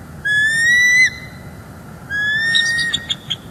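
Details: Wild bald eagle pair on alert guarding their Northeast Florida nest and eggs, December 18, 2021, via live nest cam: a long, slightly rising whistled note, a pause, then a second whistle breaking into short staccato chips.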